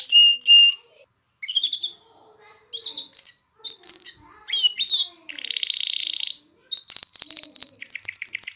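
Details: Canary song used to stimulate females to mate and teach chicks: short whistles and chirps separated by pauses, a dense buzzy burst, then a fast steady trill and a higher repeated note at the end.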